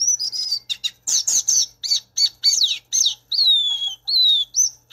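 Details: Song of the violaceous euphonia: varied high notes mixing short sharp chips, bright downslurred whistles and a longer descending whistle, delivered in quick bursts separated by brief pauses.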